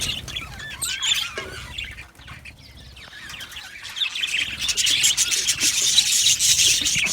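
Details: Aviary budgerigars, said to be happy: scattered twittering and rising squeaky notes at first, then swelling into a dense, busy chorus of chirps over the last three seconds.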